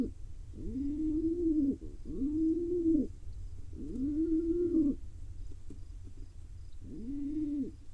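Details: Begging pigeon chick, wild, in Israel, fed by its father: a series of four squeaky, wavering whistled notes, each about a second long with a downward flick at the end, a brief gap before the last.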